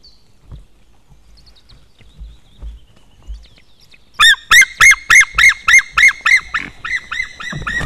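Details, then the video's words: White-tailed eagle in Estonia calling near its nest as a stranger eagle comes too close; after four quiet seconds a loud series of about twelve sharp, ringing yelping notes repeats rapidly and evenly, with faint distant bird calls before. "One stranger eagle was too close to the nest Merikotkas"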